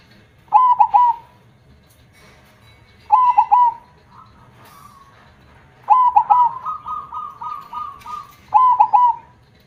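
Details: Zebra dove singing in a loud, deep KONG voice style: low whistled coo phrases opening with quick stuttered notes, given about every two and a half seconds, one stretched into a rolling trill of repeated notes.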